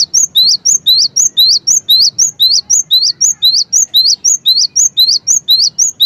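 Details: Cinereous tit (gelatik batu) singing energetically, a fast, steady run of sharp two-note whistles, each note rising, repeated about twice a second for the whole stretch with no pauses.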